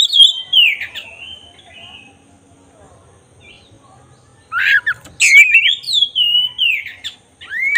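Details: Black-breasted oriental magpie-robin singing as a provoking lure for tail-opening. A descending whistled phrase, a quiet gap of about three seconds, then a burst of loud rising swoops and sharp whistles.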